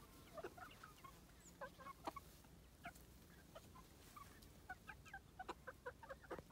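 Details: Short clipped clucks from a Cuckoo Marans chicken, a calm, quiet commercial hybrid hen of French origin. The clucks come in irregular bursts, several per second at times, against a steady low hum.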